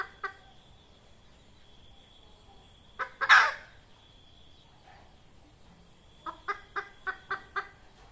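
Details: Red junglefowl hen, recorded for luring junglefowl into traps: scattered clucks, then a loud harsh burst near the middle, followed by a run of six quick, evenly spaced clucks. A faint steady high hiss runs throughout.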